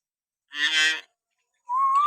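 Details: Common hill myna, natural sounds for provoking pet mynas to sing: one hoarse, nasal, honk-like call, a pause, then a steady rising whistle.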